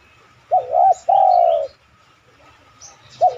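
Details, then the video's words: One full phrase from a spotted dove, recorded as a lure to make other doves coo: a brief wobbling double note, then a long smooth coo sliding slightly down. A new phrase begins at the end, with soft chirps between. "tekukur mana yang ga tergoda bunyi manggung..pancingan anggungan terbaik."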